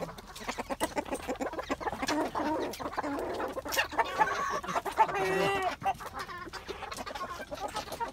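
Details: Roosters, including Nagasaki and miniature Japanese bantams, in Escondido, California, cluck and give a strained, harmonic crow near the middle over steady nearby clicking and knocking; roosters heard crowing all around.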